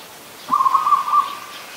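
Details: Adult zebra dove in Ubon Ratchathani, Thailand, on 24 December 2020, giving a single brief, rapid rolling trill at one steady pitch.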